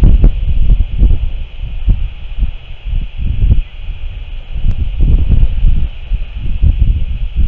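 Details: Heavy wind buffets the microphone with deep, gusty rumbling throughout, and no animal voice can be picked out.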